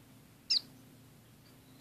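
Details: Two caged orange-cheeked waxbills housed with a society finch in a small cage: two brief, high, thin call notes about 1.3 seconds apart over a quiet indoor background with a low hum.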